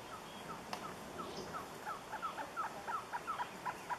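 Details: Surucua trogon song: repeated short hoots, at first spaced out and then quickening, with a second, lower series of notes overlapping the first in the later part.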